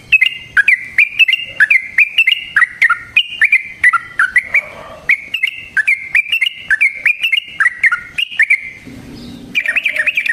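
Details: Yellow-vented bulbul, in a long rolling song used as a trapping lure to make other bulbuls reply. A sustained, loud run of chattering, warbled notes carries on with brief breaks and varied up-and-down phrases.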